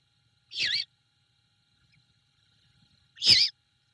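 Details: At a Savannah nest on the night of 21 February 2022, a female great horned owl tends her owlet after taking a rat from the male. Two short, raspy, wavering calls come about two and a half seconds apart.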